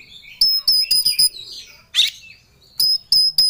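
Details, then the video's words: Caged Oriental magpie-robin singing in full emotion while seeking a rival: loud short harmonic notes in quick bursts, a buzzy rasping note midway, then more sharp repeated chips. "Kacer Ngobra Cari Lawan || Full Emosi Materi Joss"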